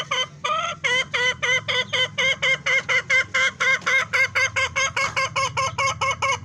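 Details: Fancy hen giving a steady run of about two dozen nasal, harmonic notes, each bending slightly in pitch, repeated roughly four per second without pause.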